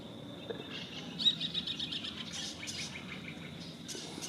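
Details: Hispaniolan parrots, a raucous flock descending in the morning to feed in fruiting trees such as mango, almond and guava, squabbling over branch space; harsh, broadband squawks and chatter in irregular bursts, with a steady high hum behind.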